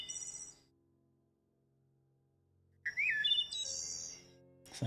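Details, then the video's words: Wood Thrush song phrase in three parts: clear, flute-like rising notes, then a very high, fast, buzzy trill, following the trill end of an earlier phrase over a low hum. "It comes in three parts. I'm going to play the wood thrush so we can hear it a little bit better."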